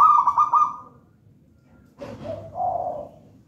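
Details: Zebra dove bred from a raja banana nest, local wild-type, in song. A quick rolling trill is followed after a pause by a lower, rougher cooing phrase.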